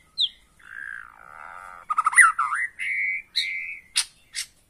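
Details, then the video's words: White-rumped shama song used as a lure to push a caged bird into singing hard and showing its full repertoire: varied clear whistles, slurred rising and falling notes and sharp chips, closing with a few high clicks. "PANCINGAN MURAI BATU AGAR BUNYI NGOTOT DAN BONGKAR ISIAN"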